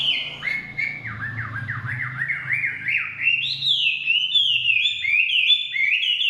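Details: Chinese hwamei singing in forest: rapid run of repeated rising-falling slurred whistles, each note swooping, pitch climbing through the phrase, loud and continuous with faint low hum beneath.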